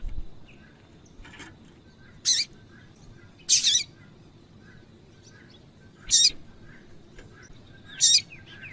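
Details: Female Double-collared seedeater calling to rouse males: a faint note followed by four crisp, high, clipped chirps spaced one to two and a half seconds apart, some doubled, against a low, even background hum.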